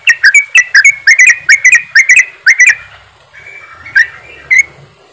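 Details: Several yellow-vented bulbuls chattering ropelan style, a lure to get birds singing: a quick series of loud gurgling notes for about three seconds, then a quieter pause broken by two single chirps.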